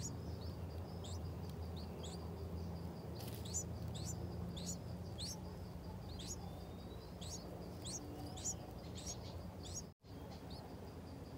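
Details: Nest of yellow-vented bulbuls, parents feeding six-day-old chicks during a storm with heavy rain and thunder; rapid series of shrill, short rising chirps, irregularly spaced, over broad noise with one brief dropout.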